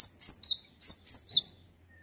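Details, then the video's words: Bright, ringing song from a male great tit: six quick high whistled notes swinging between two pitches, about four per second, then silence. "PECINTA GELATIK BATU PASTI SUKA...GACOR BAGUS PEJANTAN YANG KEREN"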